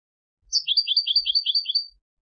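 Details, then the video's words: Turkish goldfinch in song, Istanbul, Turkey: a brief, bright phrase of about a dozen rapid alternating high and slightly lower chirps, lasting around one and a half seconds. "Turkish Goldfinch طائر الحسون التركي"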